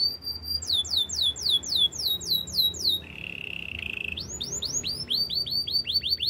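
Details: Champion canary song for coaching: a held whistle, a long series of falling swept notes about four per second, a low buzzy trill, then renewed descending whistled sweeps.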